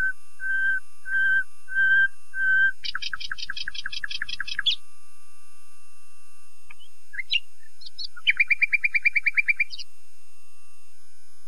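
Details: Common nightingale singing: four slow, level whistled notes, then a loud rapid rattling burst, a pause with scattered notes, and a fast ringing trill of repeated chirps.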